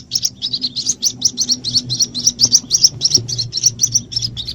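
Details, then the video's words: Lure recording of white-breasted waterhen chicks calling to draw in their parents: quick series of sharp, high-pitched peeps repeated roughly three times a second, with a soft low background drone. "Suara Pikat Anakan Ruak Ruak Ampuh Buat Mikat Induknya"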